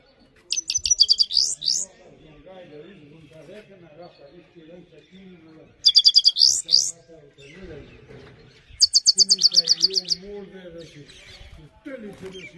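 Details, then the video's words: Three separate bursts of rapid, high, twittering trills from a Himalayan goldfinch, with softer low warbling sounds filling the gaps. "The best himalayan gold finch clean voice singing"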